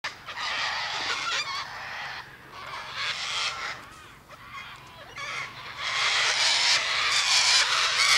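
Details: Cockatoos screeching, with rough, broadband shrieks coming in bursts that swell louder toward the end.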